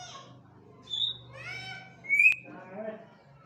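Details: Bonded pair of African grey parrots indoors; speech-like harmonic syllables mixed with a sharp whistled note and a brief click-like burst, then softer voiced sounds, all with a low background hum.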